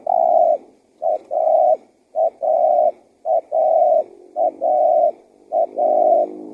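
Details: Spotted dove lure call to attract wild doves: a regular series of six phrases, each a short clipped note followed by a longer level coo, closely spaced.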